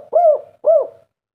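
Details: Local spotted dove singing the 'kuk 3' song style: two deep, mellow cooing notes, each arching slightly up and down, about half a second apart, with no other sounds behind them.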